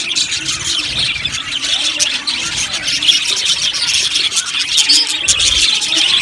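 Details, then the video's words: Crowded budgerigar aviary: continuous high squeaky chirps and chattering warbles overlap, with an occasional clearer whistled note standing out above the rasping background. "Amazing Budgies chirping sounds | Budgies parakeets sounds"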